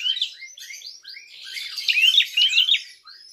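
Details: Prinia calling aggressively to provoke other birds: a dense run of overlapping scratchy chirps that builds into louder, sharply rising notes near the end.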